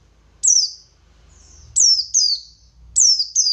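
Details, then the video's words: Buxtoni white-eye ngalas song, played to provoke replies from other white-eyes: piercing high downslurred notes in ones and twos, over a faint low hum. "Pasti Nyaut..Burung Pleci Buxtoni Gacor Ngalas Memancing Emosi Paling Ampuh"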